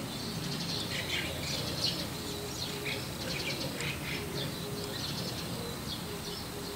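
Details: White-cheeked starling on a roof calling softly, as if to a neighbouring starling; brief, faint chirpy notes scattered through the recording over a steady low hum.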